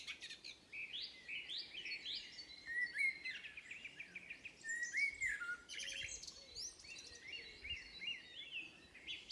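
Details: Birds singing in a forest at Beder near Aarhus, Denmark: several overlapping high chirps, trills and short whistled notes, some rising, others in quick repeated series, with no other sounds.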